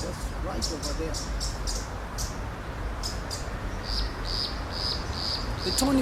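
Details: Tawny-flanked prinia (Prinia subflava) loud call on marshes by the flooded Nairobi River, Kenya, at rainy season's start: high, sharp notes about twice a second, over a man's voice and a steady low rumble.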